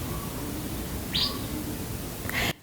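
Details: Asian fairy-bluebird's own call, the model for a Racket-tailed Drongo's mimicry: two short, sharp whistled notes about a second apart, the first high and the second lower, over a steady hiss.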